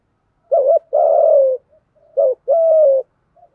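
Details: Two strong spotted dove coo phrases in the 'thúc gù' style, from male and female birds, used to spur decoy birds to call: a short warbling note, then a long, steady, slightly dropping coo, repeated.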